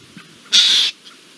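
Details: A Eurasian jay in Spain, alerting along with a blackbird to an Iberian lynx on 17 April 2024, gives one harsh, rasping screech under half a second long, a high hoarse burst; otherwise quiet.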